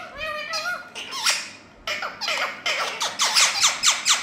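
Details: Several Indian ringneck parakeets talking as a group: wavering, voice-like harmonic notes give way to a fast run of sharp, downward-sweeping squawks repeated roughly twice a second.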